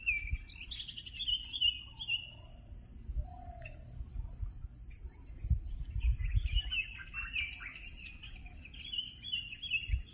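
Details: Red-whiskered bulbul in India giving lively, bubbling chirps and short wavering phrases, with thin high downslurred whistles between them, over a low rumble of background noise.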